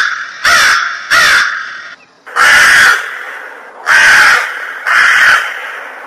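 A crow gives five harsh, hoarse caws: two quick ones close together, then three longer, drawn-out caws about a second apart. No other sounds are heard.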